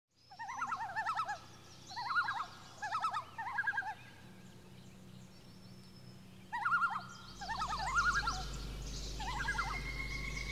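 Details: Pileated Woodpecker, one of a nesting pair feeding three chicks at Amisk Lake, Alberta, gives short bursts of rapid, nasal, rolling notes, about five bursts over ten seconds, over a low steady rumble of background noise.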